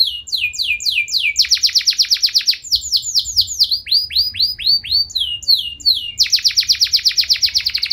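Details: Energetic canary song, long and ornate, used to spur other canaries to reply; tour after tour of swept whistles, some fast and dense, some slow and arched, ending in a rapid buzzy rattle.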